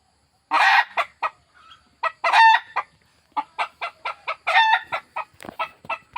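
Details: Desi hen giving a run of loud, harsh clucks and squawks, some drawn out, others short and clipped, coming in irregular bursts about every half second with brief silences between.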